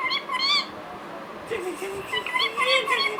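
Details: Pet Indian ringneck parakeet indoors, talking and imitating words and a meow: short bright harmonic phrases with wavering, rising and falling tones, a pause, then a run of quick chattering syllables.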